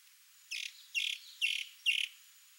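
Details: Sabiá-do-campo, the chalk-browed mockingbird, a male showing off to a female: four evenly spaced, rasping, harmonic-rich notes, each about a fifth of a second, delivered at a steady pace against a faint background hiss.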